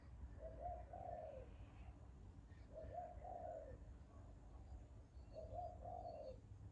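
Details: Bird repeating a low, hollow two-part cooing phrase three times, roughly every two and a half seconds, with a constant low rumble and faint higher chirps behind.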